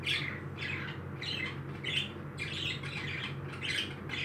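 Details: Pet parakeets, described as happy, give harsh raspy squawks in short bursts about every half second, with a steady low electrical hum underneath.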